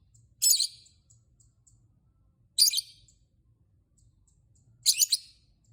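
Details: Lovebird calling to spur other lovebirds to sing: three separate shrill, rasping chirps spaced about two seconds apart, with quiet faint ticks between them.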